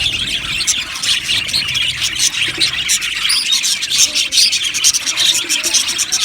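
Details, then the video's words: Colony of Australian budgerigars in an aviary, chirping together in a dense, continuous high-pitched chatter of overlapping tweets and warbles with no pauses. "Amazing Budgies chirping sounds | Budgies parakeets sounds"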